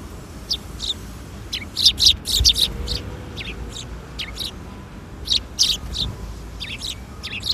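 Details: Afternoon of 13 April 2021 at a Tenmangu shrine, several sparrows arriving for food give busy, overlapping high chirps and tweets, clustered in lively bursts around the middle and again near the end, with a faint low background rumble.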